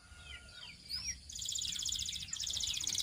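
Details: Belgian canary singing: thin whistled sweeps and falling slurs give way to a fast, buzzy high trill pulsing steadily for over a second, then another rapid trill; faint low background hum throughout.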